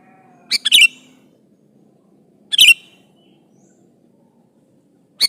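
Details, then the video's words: Sooty-headed bulbul calling an opponent, used to lure others: two bubbly phrases of quick chirps and short slurred whistles about two seconds apart, the start of a third at the end, over faint background hum. "Semua kutilang NYAUT , di pancing Suara burung kutilang gacor memanggil lawan ini"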